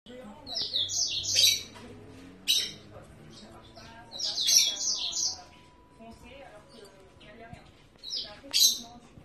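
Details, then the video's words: One-day-old yellow-fronted canary chick being hand-fed, fed by hand until the parents take over; bursts of high, thin, rapid chirping around two, four and eight seconds, between quieter stretches with low background sounds. "Chanteur d'Afrique bb de 1 jour nourrit a la main"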